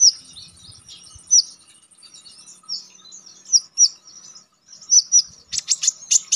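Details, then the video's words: Konin songbird singing sharp, shooting notes for contest training: separate high whistled slurs repeated about every half second, ending in a fast burst of loud, rapidly repeated high chips. "Konin damer gacor ngalas nembak tajam"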